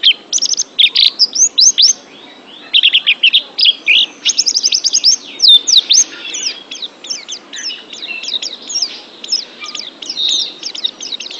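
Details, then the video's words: Oriental white-eye singing on a training track for pet birds. Clusters of rapid high twittering notes and thin whistled slurs in choppy bursts, with brief gaps and a softer, busier run of twitters towards the end. "TERAPI MENTAL PLECI"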